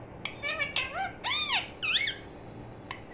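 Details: Young budgerigar chick giving a run of harsh, harmonic squawks, each arching up then down, five calls in under two seconds, then a pause and a single click indoors.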